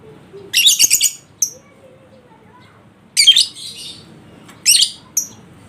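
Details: Recording of a lovebird used to coax a lazy bird into singing: three bursts of rapid, stuttering shrill chatter, each followed by a thin high squeak, separated by near silence.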